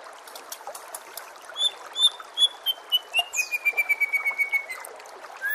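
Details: White-rumped shama training recording with natural water sounds. Soft at first, then a quick series of about twenty short clear notes gently descending in pitch, ending with a rising whistle.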